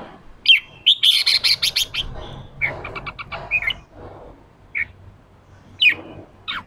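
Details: Red-whiskered bulbul kept caged, a new wild bird provoked into combative ché calling: a fast, loud, buzzy chattering burst, then a stuttering series of clipped notes and a few separate sharp chips.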